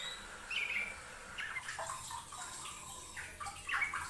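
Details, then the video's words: Yellow-vented bulbul (trucukan) in an Indonesian master recording for training songbirds, calling persistently: short liquid, bubbly warbled phrases in bursts, separated by brief pauses, over a steady hiss like running or splashing water. "MASTERAN TRUCUKAN RAJIN BUNYI || kicau burung trucuk rajin bunyi"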